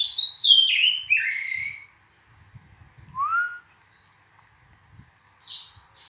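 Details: Oriental magpie-robin: a cascade of sweet whistles gliding downward, then a sparse stretch with a single rising whistle and a few brief high notes, over soft low background noise.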